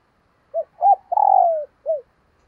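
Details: Spotted dove decoy cooing in the morning to lure wild doves: two short soft coos, a long buzzy falling coo, then a final short arched note, quiet otherwise.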